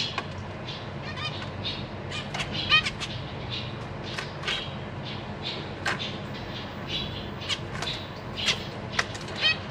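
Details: Zebra finches in a cage, 14 April 2023: a pair of parents with three juveniles and three new babies just out of the nest. Busy stream of short, nasal, buzzy chirps, many overlapping, with a low constant background rumble.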